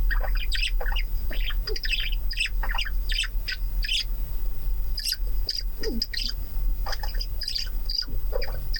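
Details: Several male budgerigars interacting in a lab chatter and warble together, a dense run of quick chirps, clicks and buzzy rising notes overlapping, over a steady low hum.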